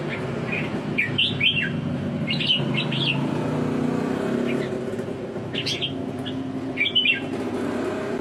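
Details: Red-whiskered bulbul song: short, bright chirping phrases with quick up-and-down notes, scattered irregularly over a steady rumble of passing traffic.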